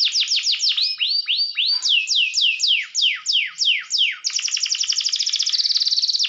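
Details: Canary singing to fire up rival birds: a run of loud descending whistled sweeps repeated about three times a second, then a rapid, rattling high trill.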